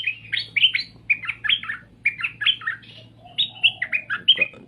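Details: Straw-headed bulbul giving dense, bubbly warbled phrases in rapid bursts, a short pause midway, then more chattering whistles; a steady low hum runs throughout.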